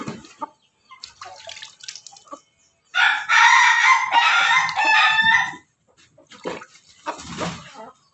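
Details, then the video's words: Ayam Ketawa chicken at home, bathed to bring on long crowing, delivers a loud, rich, stuttering crow of about two and a half seconds, with quiet dripping and rustling before and after. "memandikan ayam ketawa di rumah biar berkokok panjang"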